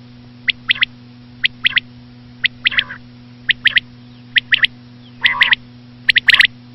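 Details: Common quail, noted as a female, played for hunting: bright three-note bursts repeated roughly every second, with occasional lower nasal notes mixed in and a constant low electrical hum.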